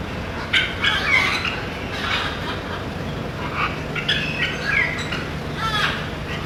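A macaw gives a run of harsh, raspy squawks at irregular intervals, with a low background hum and faint voices.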